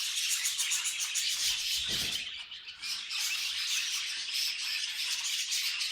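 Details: Pet budgerigars chattering busily: fast, thin chirps and scratchy squawks tumbling over one another, a short dip near the middle, then the lively babble resumes.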